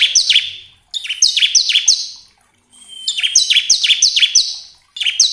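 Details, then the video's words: Bar-winged prinia song played to make caged birds sing: repeated bursts of rapid, bright, descending chips, with a brief thin whistle before one burst. "pancingan ciblek agar cepat bunyi"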